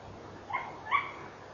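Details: Tawny owl barking near midnight, 11 November 2013, on a camera microphone: two brief, harsh, slightly rising yelps close together, with soft background hiss.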